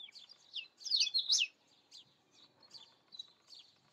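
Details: Indian robin singing: a loud burst of quick, chirpy, warbled notes near the start, followed by several softer, scattered twittering phrases at irregular intervals in an otherwise quiet background.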